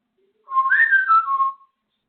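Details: African grey parrot kept as a pet whistles one tuneful phrase from the Andy Griffith theme, a pure tone rising, peaking, then gliding back down over about a second.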